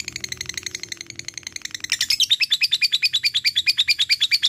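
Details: Lovebird long ngekek chatter, soft and quick at first, then louder and more separated, with about fourteen ringing high notes in the last two and a half seconds.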